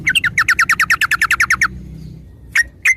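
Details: Sooty-headed bulbul song played to prompt other birds to start singing: a fast series of about fifteen sharp chirping notes for nearly two seconds, followed after a pause by two lone chirps, low hum beneath.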